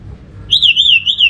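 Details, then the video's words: Brief orange-headed thrush phrase meant to set other thrushes singing: one sustained, wavering high whistle that undulates up and down for almost a second. "Suara burung ANIS MERAH ini ampuh bikin ANIS Jenis apapun ikut bunyi, pancingan Suara Sebagai Terapi"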